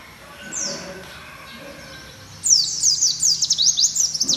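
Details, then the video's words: A white-eye (Zosterops, called pleci or kacamata), played loud, sings a fast, high, twittering song of thin descending notes tumbling together, after a brief quiet start with one faint high call. "SUARA BURUNG PLECI VOLUME KERASSSS"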